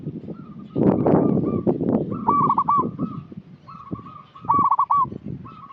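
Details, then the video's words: Local zebra dove lure call, with repeated bursts of rapid hooked coo notes and longer level cooing tones between them. Loud low rumbling and handling noise sit underneath. "Perkutut lokal gacor suara cocok untuk pancingan"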